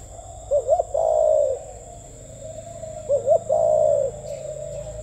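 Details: Spotted dove coos in gù tít style, two phrases roughly every two and a half seconds, each a rising double note then a long low coo, with a steady hum behind.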